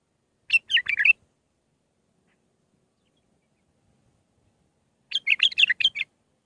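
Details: Bulbul Mandalawi song meant for young birds to learn: two short warbled, gurgling phrases of quick notes separated by about four seconds of silence.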